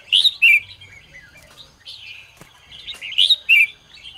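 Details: Red-whiskered bulbul singing in the morning in the ché style for training birds: two loud bursts of clear, ringing whistled notes with soft warbled phrases between them.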